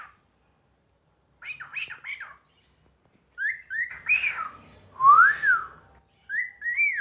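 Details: Talking pet cockatiel giving short chattering syllables, then a run of clear whistled notes that rise and fall, repeated in bursts with brief silences between.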